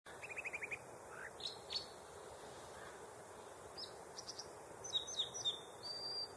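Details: American dipper singing: a quick run of repeated high buzzy notes, then scattered sharp chips and whistled slurred phrases, over a constant rushing background noise.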